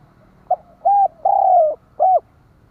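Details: Spotted dove decoy bird calling to lure other doves: four clear, mellow coos, a short note, two longer steady ones and a final short coo, all at a similar low pitch over about two seconds in a quiet setting.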